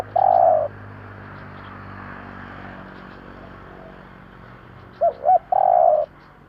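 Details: Spotted dove 'kích bổi' luring call. A loud long coo, a hissy background stretch, then two short coos and another long buzzy coo.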